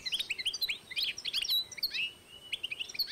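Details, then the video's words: European goldfinch and canary cross, 2012, singing a dense, continuous flow of high twittered and slurred notes with an occasional drawn-out whistle. "European goldfinch X Canary"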